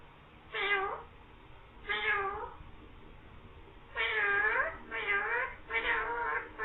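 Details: Green parrot speaking "mian mithu" and imitating a meow: two single wavering meows, then three closely spaced meow calls, all rich in harmonics, above a low continuous hum.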